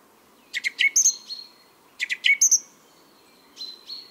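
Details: A male song thrush gives its spring song in Biryulyovsky forest park, Moscow, on 23 April 2022: a loud, clear phrase of sharp notes and whistles, repeated almost exactly, then a new whistled phrase; chaffinch in background.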